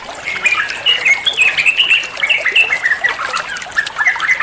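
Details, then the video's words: Olive-winged bulbul singing for songbird training: a continuous stream of lively, slightly harsh whistled notes, short upward and downward slurs packed closely together at a steady high pitch. "Masteran trucuan muantaaap, (burung trucuan anda pasti nyaut)"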